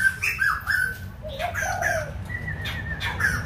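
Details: White-crested laughingthrush from Kbang, singing a short string of clear whistled notes, some wavering and some dropping lower, with a low hum underneath.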